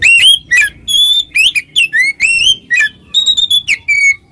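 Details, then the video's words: Oriental magpie-robin singing loudly in 'ngeplong' style to call a rival that becomes agitated: a fast string of clear, ringing whistled notes, some rising and some falling, many short phrases with brief gaps. "suara burung Kacer NGEPLONG memanggil lawan, lawan EMOSI seketika"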